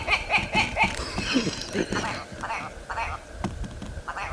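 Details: In spring on Andøya, Vesterålen, Norway, a willow ptarmigan surprised early in the morning gives a rapid, nasal, stuttering chatter, about two notes a second, that sounds like hoarse laughter ("hähähä").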